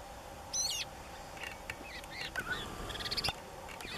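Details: European bee-eaters at Valdesogo on 11 May 2013 give short, rolling, liquid trills, one loud call and then a scattered run of softer ones over a faint, steady background hum.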